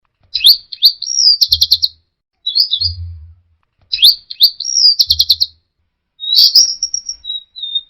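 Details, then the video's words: Orange-headed thrush singing in the teler style: two matching phrases of rapid high chirps, slurred whistles and buzzy trills, separated by short pauses, with low thumping knocks underneath. "Suara Burung Anis Merah Teler"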